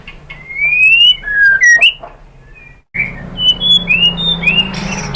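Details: White-rumped shama lure song: long rising whistles and dipping slurs, a sudden cut to silence, then more bright whistled phrases over a faint low hum.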